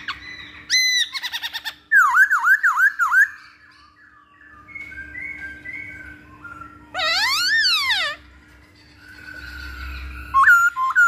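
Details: Masked laughingthrush song used to lure or train birds: a quick harsh chatter, a string of bouncing V-shaped whistles, softer mid-pitched whistling, and a loud ringing series of sweeping notes, with a faint hum throughout.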